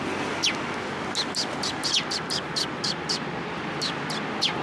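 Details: Sparrows at a Tenmangu shrine on 29 March 2023, approaching to be fed; a steady run of sharp, downward-slurred chirps repeated several times a second, with background traffic hum.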